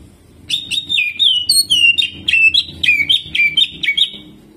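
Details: Greater green leafbird (cucak ijo) singing energetically in jamtrok style, with ciblek mimicry and rolling phrases: rapid, clear, slurred whistled notes, roughly two per second, in uneven bursts, over faint low background hum.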